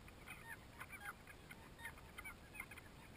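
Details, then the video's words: Banded stilts duelling at a nesting colony of over 20,000 pairs on Lake Torrens, South Australia, in 2011 after flooding rains from Cyclone Yasi: a busy chorus of short, yapping, goose-like calls overlapping in quick bursts over a steady low hiss. "Banded Stilts duelling"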